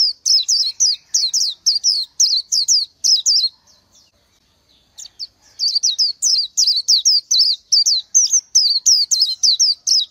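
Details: Wild Oriental white-eye gives a fast series of thin, high, down-slurred whistled notes, roughly three per second, with a silent gap of about a second in the middle before the run resumes.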